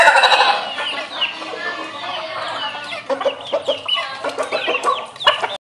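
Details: Ayam ketawa chicken crowing melodiously: a loud harmonic opening, then a broken series of short, irregular, chuckling notes that fade before stopping.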